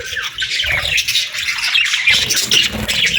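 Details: Parakeets in the morning giving dense, harsh squawks and quick chirps, a continuous overlapping chorus with a slight dip early on.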